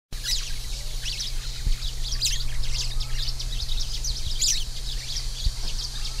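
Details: Orange-fronted yellow finch singing: a quick run of high, thin chirps and short twittering notes, some sweeping up and down, with brighter bursts near two and four and a half seconds over a steady low electrical hum.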